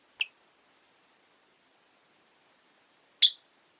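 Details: Rosy-faced lovebirds, five kept in a cage near a window, give two piercing high chirps about three seconds apart over a quiet background.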